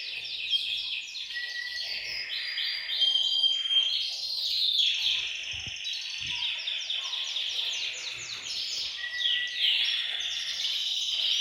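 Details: Canaries in a bird room singing as a group, used to stimulate males and prepare females for breeding; long run of rapid, repeated trill notes and buzzy rolls, with occasional clear whistled tones over the chorus.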